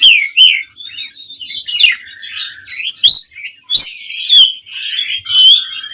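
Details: Energetic mompa song of an Asian pied starling, played as a lure for other songbirds: a continuous, varied run of slurred whistles and scratchy chatter, loud bursts recurring roughly every second.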